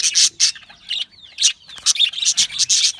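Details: Budgie parrot chirping in bright, separate bursts of high scratchy chirps with quick sliding whistled notes between them, coming faster toward the end.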